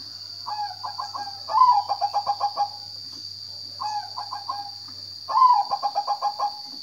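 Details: Zebra dove song in paired phrases. A short run of rolling coos is followed by a louder phrase with an accented opening note and a rapid series of staccato coos. A constant shrill background hum continues throughout.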